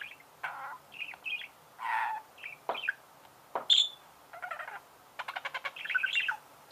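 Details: Budgerigar chirping: a loose string of short buzzy and nasal chirps with scattered sharp clicks and brief pauses, ending in a quick run of rapid pulsed notes.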